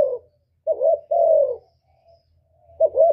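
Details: Spotted dove cooing, a recording used as a trapping lure and to stir up captive doves: low, soft hooting notes, one short, then two fuller ones with a long falling coo, and another coo starting near the end, in quiet surroundings.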